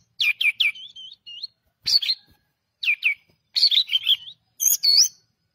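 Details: Pied triller in loud, lively song: quick downward-sweeping chirps in clusters, each group followed by a short whistled flourish, in five separate bursts with brief gaps.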